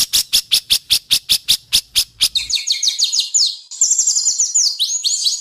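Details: White-rumped shama singing in an Indonesian competition with sharp besetan mimicry: a dozen evenly spaced loud clicking notes, then fast sweeping whistled phrases rising and falling high up.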